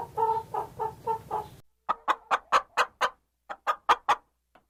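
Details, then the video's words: Chickens clucking: a first bird gives soft, rounded, pulsing clucks over a low hum, then crisp, higher, rapid clucks follow in two runs with a short pause between. "CHICKEN SOUNDS - Clucking Sound Effects of Chickens and Hens"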